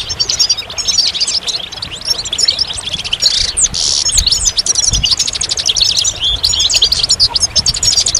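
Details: Bright, rapid goldfinch twittering: tinkling high notes and quick buzzy trills pour out continuously, interrupted around the middle by a short rush of broadband rustling.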